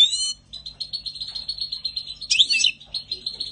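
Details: European goldfinch singing in spring 2020: a rapid, buzzy chatter of high notes held in a steady run, broken by one sharper, brighter twittering burst midway.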